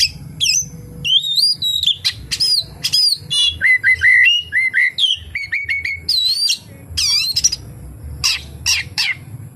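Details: Oriental magpie-robin delivers a varied song of kapas tembak mimicry: looping high whistles, runs of repeated mid-pitched notes, and sharp upward flicks, with brief pauses between bursts.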